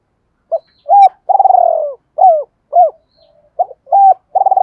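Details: Captive decoy spotted dove calling in the double-voice style used to lure wild doves: a short note, a rising coo, then a long purring trill and falling coos, and the phrase starts again. No other sounds.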